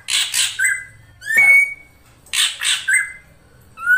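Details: Ashy drongo song of paired harsh raspy bursts, each followed by a clean rising-then-level whistle, the pattern repeated twice with brief pauses between.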